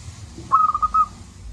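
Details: Zebra dove, local bird with a big voice, used to spur lazy doves: a single crisp phrase of five quick, clipped whistled notes over faint hiss.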